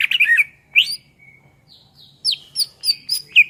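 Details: Greater green leafbird singing in bursts: a scratchy twittering opening, a rising whistle, a thin level note, then a pause before five sharp, slurred whistled notes spaced evenly about every third of a second.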